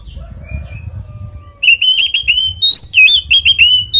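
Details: Kacer fighting song in 'ngeplong tarung konslet' style, meant to draw other Oriental magpie-robins into singing; faint thin notes open, then a loud rush of rapid whistled chips and slurs through the rest.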